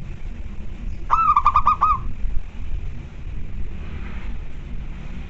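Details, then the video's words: Local zebra dove kept at home, calling in the lively 'koar koar' style while birds answer each other: one quick bout of about six rapid, rolling cooing notes lasting a second, then quiet over a low steady background rumble. "Perkutut lokal kantong semar gacor koar koar"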